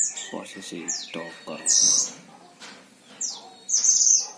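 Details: Caged Himalayan oriental white-eye, a tutor bird from Sragen, Central Java, Indonesia. High whistled and trilled bursts break through a man talking in the background.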